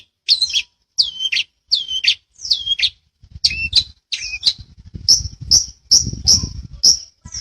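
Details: Cendet, the long-tailed shrike, from a master recording for training birds: several raspy notes with lower whistled hooks, then sharp thin high chips about twice per second over a soft low rumble.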